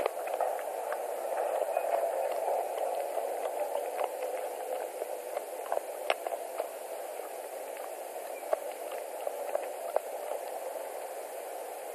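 Steady hiss and broadband static with faint clicks and crackles, and no animal voice.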